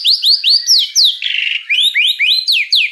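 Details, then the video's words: Murai batu (white-rumped shama) tutor recording for young spotted birds: a fast run of identical upswept whistles, a short harsh buzzy burst, then more rising whistled notes repeated about four times a second. "MASTERAN MURAI BATU TROTOL 100% DIJAMIN AMPUH BIKIN MURAI TROTOL CEPAT GACOR"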